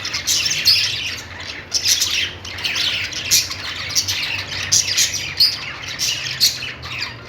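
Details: Happy budgerigars: bright, scratchy chirping chatter with frequent sharp squeaks and louder pulses about every second, several birds calling at once above a quiet hum.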